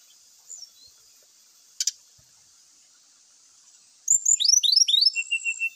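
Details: Brown-chested jungle flycatcher singing actively on a lure recording with fill-in phrases: near silence with a faint hiss, then a sudden rapid burst of high, descending chirps, ending in a steady thin whistle.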